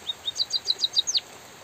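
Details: High, thin chirps from a white-headed munia recorded in gentle drizzle: two soft notes, then six rapid sharp tweets and a final long downward-sweeping whistle before silence.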